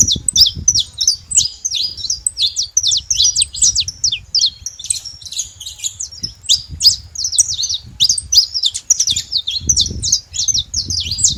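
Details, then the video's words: Free-living saffron finch in nature giving a lively, rapid song of high twittering chirps and sharp downslurs, roughly three notes a second, over soft background rumble. "canário da terra livre na natureza com belo cantos"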